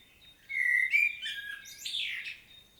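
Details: Field recording from Świnoujście, Poland, 25 September 2022, of a common blackbird's detailed solo: a mellow whistled opening that glides smoothly, followed by a rising, scratchy, higher twitter that fades out.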